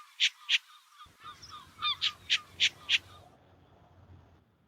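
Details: An adult short-eared owl on Skomer gives its barking territorial call: harsh, raspy barks, about seven in quick succession over three seconds, over a low background rumble.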